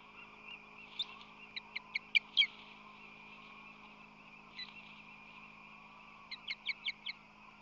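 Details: Osprey pair at a San Francisco Bay nest in late March 2020, the male repeatedly arriving with fish in his talons to defend the nest: two bursts of sharp, high chirped notes, five or six quick pips each, separated by a steady hum.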